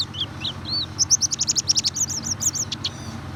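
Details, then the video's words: White-eye lure song for a bird that rarely sings: a few soft slurred notes, then a fast, even run of bright high chirps at about eight per second. "pancingan burung pleci susah bunyi"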